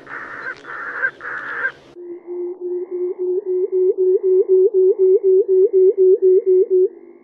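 A pectoral sandpiper gives a low, hollow hooting, about four even pulses a second for five seconds, after three harsh, nasal notes.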